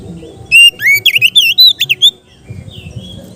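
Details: Oriental magpie-robin giving a relaxed ngeplong song, meant as therapy for untrained kept birds: a quick run of loud, clear whistled notes, some sliding up and others dipping, over a low background hum.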